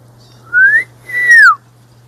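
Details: In the desert near Tucson, a male Pyrrhuloxia calls to his mate with two clear slurred whistles, a short rising note then a longer note falling away, over a faint steady hum.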